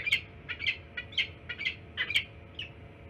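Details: Peregrine falcons in Pennsylvania on February 12th, around midday, during tension in the area: harsh, chattering calls repeated about twice per second, uneven, over low background rumble.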